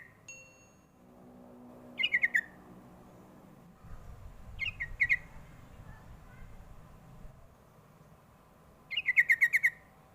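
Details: Lure call of the sooty-headed bulbul used to get young birds to answer: three separated bursts of quick, falling chirped notes, each a tight run of three to six, with a brief whistle at the start and low background rumble.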